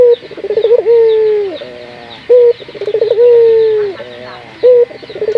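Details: Lure call of a local puter dove to encourage other puter doves to sing: rolling pulsed notes leading into long, even coos that drop at the end, with short sharp notes in between, repeated steadily.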